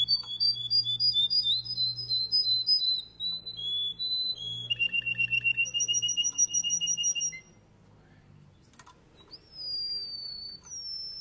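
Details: Male Russian canary singing: fast, high trills and rapid repeated notes in quick-changing tours, a pulsed lower trill midway, then a pause and a few sliding whistled notes, with faint low hum behind.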